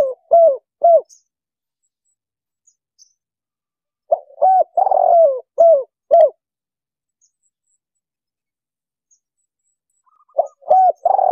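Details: Lure recording of a spotted dove for catching wild birds with a speaker box: short bursts of low, rounded coos in small clusters, separated by long silences, clean background.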